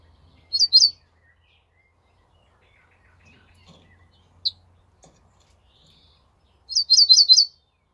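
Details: Ortolan bunting song recorded on 28 May 2024: two short phrases of four or five ringing, high notes, about six seconds apart, with quiet pauses and faint clicks between.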